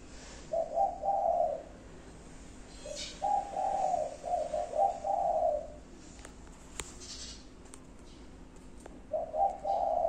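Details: Low, mellow five-note cooing of a spotted dove, one phrase early, a longer series of rounded coos midway, and another beginning at the close, with faint clicks behind.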